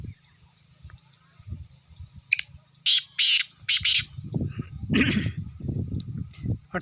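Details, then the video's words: Black francolin calling: a loud run of four harsh, grating, broadband notes given in quick succession near the middle, with low rumbling handling or wind noise underneath and a few faint chirps before. "کالا تیتر کی آواز"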